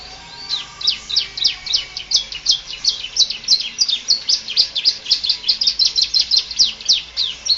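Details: Full canary song meant as tutor material for other birds: a long steady stream of quick, sharply descending chirps repeated about three times per second.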